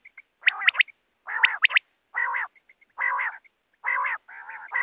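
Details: Quail sound used to hunt wild quail with nets: opening whistled triplets of steeply rising notes, followed by repeated broad, harsh nasal buzzes about once a second with faint pips between.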